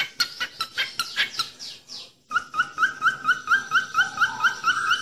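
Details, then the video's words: Song of a falk bird used as a training recording. It opens with a burst of harsh, scratchy chatter, then after a brief pause shifts to clear upslurred whistles repeated about twice a second, joined by a lower answering whistle. "SIULAN BURUNG FALK"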